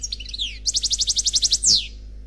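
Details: European goldfinch singing Khalwi style, an unpaired bird recorded for CD: falling whistled slurs, then a crisp metronomic trill of about a dozen identical notes, ending in a long sweeping downward whistle.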